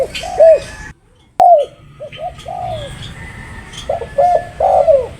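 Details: Spotted dove cooing in low, rounded notes. A sudden silence and a sharp click break the sequence early, then the coos resume and swell toward the end.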